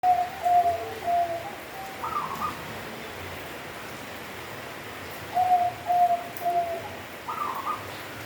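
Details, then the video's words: Local zebra dove, perkutut lokal, singing in the kenthing style: soft cooing phrases of three or four clear notes, each ending in a higher purring trill, repeated twice over steady background hiss. "Perkutut Lokal Suara Kenthing"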